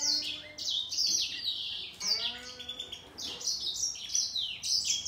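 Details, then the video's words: Grey singing finch in a singing contest with a green singing finch: a fast, continuous run of high twittering, trilled and whistled phrases, with the second finch singing at the same time. "Gery singer finch VS Green singer singing fight 灰燕和金青斗唱"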